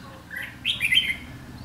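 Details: Red-whiskered bulbul in a trapping setup on 7 July 2016, a bird singing a challenging 'ché' song at a decoy: a short burst of bright warbled notes, first a lower slurred phrase, then a louder twittering run, over faint low hum.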